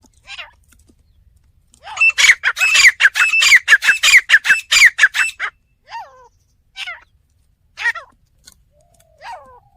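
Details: Village fighting partridge (teetar) calling: a fast burst of harsh, grating notes repeated about twice a second for three seconds, then a few separate thin, descending squeaky calls with short pauses between them.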